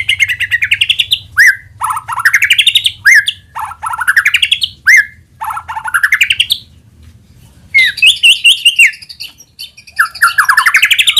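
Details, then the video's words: White-rumped shama singing as a lure to set other shamas singing: series of rising buzzy trills ending in sharp down-slurred notes, a short pause, then denser, more varied chattering phrases; soft low hum in background. "AUTO NYAUT MURAIBATU APAPUN AKAN TERPANCING UNTUK BUNYI GACOR JIKA MENDENGARKAN SUARA PANCINGAN INI"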